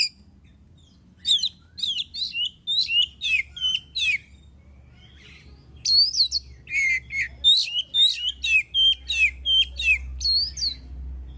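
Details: Oriental magpie-robin singing strongly, used to provoke other birds into song: long runs of loud whistled notes, each sweeping downward, delivered about three per second with varied phrasing and a short pause midway.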